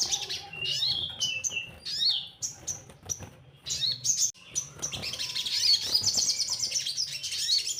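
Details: Orange-headed thrush lure song for getting young birds to sing: crisp, separate whistled notes and slurs, then a long continuous flow of fast, high tumbling warbles, with a low background hum.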